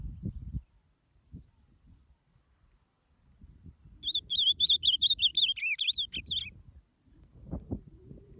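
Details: Warm-up song of an ultramarine grosbeak, meant to stir up other birds: low thuds and knocking, then a bright rapid warble lasting about two and a half seconds with quivering, bouncing notes, followed by more soft knocks.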